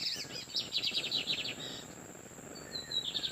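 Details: Wild lined seedeater males trading song near an incubating female: a quick run of clipped, rattling notes followed by thin whistled slurs and a renewed trill, with a constant shrill hiss beneath.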